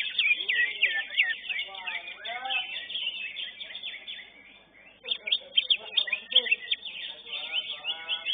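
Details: Greater green leafbird at a singing contest, a first-place winner: fast, high chattering warble of rapid chirps and whistles, a brief lull midway, then renewed loud bursts, with a man's voice talking underneath.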